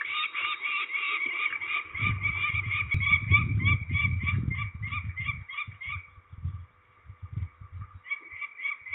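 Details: Peregrine falcons at Trzebież, Poland, 13 May 2019, during ringing: harsh, grating notes repeated rapidly about three per second in a long unbroken chatter, pausing briefly near the end, over low rumbling handling noise.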